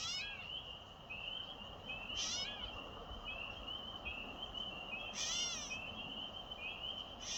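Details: A catbird, filmed May 1, gives a drawn-out, nasal, cat-like mewing that sounds almost like a crying baby, meowing, with short raspy bursts every two to three seconds.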